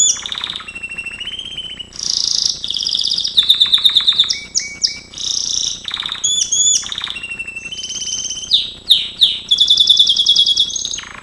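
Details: Singing Gloster canary as a training recording: a continuous run of rolling trills, harsh rattles, rising whistled slurs and buzzy tours that shift in pitch and speed throughout, loud and close.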